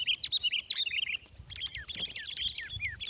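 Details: Sooty-headed bulbul (kutilang) in a heated contest with another bird: a continuous, lively stream of bright, squeaky chirps and short warbles, nearly without pause, over faint low background noise.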